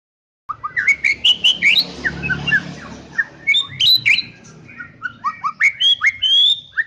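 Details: White-rumped shama, a champion songbird, delivering a lively song of sharp whistled and slurred notes, quick upward sweeps and chattering phrases in rapid succession, with a soft hum in the background.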